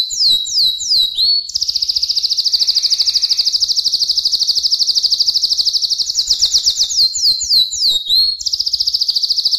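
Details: Canary singing a few quick downward-slurred whistles, then a sustained high rolling trill lasting several seconds, followed by more sweeping notes and another fast trill.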